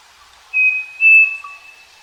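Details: Striped cuckoo singing on a farm: two pure whistled notes, a short one followed after a brief gap by a longer, slightly higher and louder note, with a faint lower whistle trailing behind.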